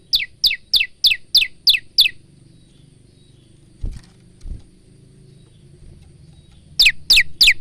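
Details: Male bar-winged prinia in song, kept as a training tutor for cage birds: a run of seven sharp descending notes, a pause with two low thumps, then three more notes; faint engine hum underneath.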